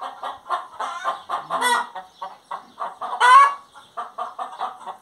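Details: Steady rhythmic clucking from a singing hen, roughly three notes a second, interrupted by one loud, rising, raspy squawk past the three-second mark.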